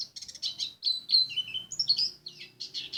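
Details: White-eye from Lumajang singing a rapid, varied high twittering of chirps, short slurred whistles and falling notes, with a faint low hum underneath.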